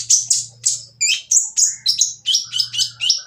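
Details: Rough, noisy singing by a Van Hasselt's sunbird (kolibri ninja) to goad others into singing: quick burst of shrill, sliding high notes, nearly four per second, ending in stepped twittering phrases over a low hum.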